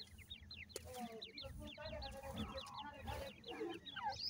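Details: Grey francolin (dakhni teetar) chicks while feeding: a steady stream of thin, high, downslurred peeps, several per second and overlapping, over low soft clucking notes and a faint background rumble.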